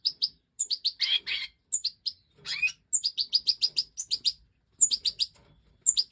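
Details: Stieglitz Major goldfinch in 2024 breeding footage, giving rapid high twittering runs mixed with thicker buzzy notes and one rising slurred phrase, with tiny gaps between bursts.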